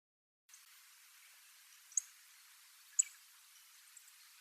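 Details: Migrating little bunting alone on a school field on Tobishima, Japan; a pair of piercing, very high clicks roughly a second apart, then a fainter tick, against soft background hiss.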